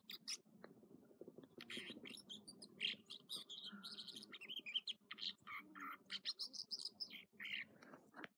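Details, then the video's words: Morning song of an American dipper (water ouzel) at Echo Lake, Trinity Alps, California: a long run of sharp, high, varied notes and short trills, closely spaced, over a constant low background roar. "Water Ouzel Song Sequence"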